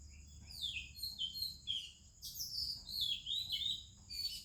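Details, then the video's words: Oriental magpie-robin with other birds singing in the morning in India: a run of varied sweet whistled phrases, some rising and some falling, in quick bursts, over a soft low hum. "30 Minutes a ROBIN Chirping in the Morning"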